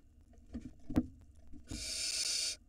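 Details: Barn owl nestling at the nest entrance in Israel, filmed by a live nest camera in 2022. A few knocks and thumps are followed by one long, rough, breathy hiss.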